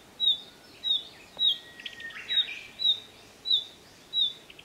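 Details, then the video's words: Alarm calling by a female Narcissus flycatcher: high, clipped, downward-sliding notes repeat roughly every half second to second, with faint softer sounds in between and a low background hiss. "キビタキ メス 警戒鳴き"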